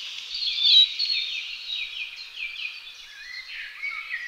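Spotted flycatcher chicks beg with a dense, continuous stream of thin, high, overlapping notes that slur downward, several birds calling at once.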